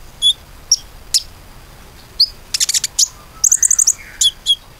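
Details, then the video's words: Common iora in lively song, offered as a lure recording to prompt other birds to sing: sparse, sharp high chirps and short buzzy bursts, with a rapid run of repeated notes and a faint lower whistle near the end. "PANCINGAN KONIN GACOR AMPUH‼beneran bisa gacor"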